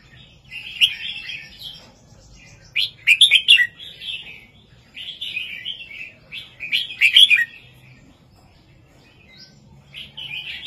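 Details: Red-whiskered bulbul singing a southern-style 3-4-5 master song used to excite birds: cheerful warbled phrases and two loud emphatic bursts roughly four seconds apart, with brief gaps of silence.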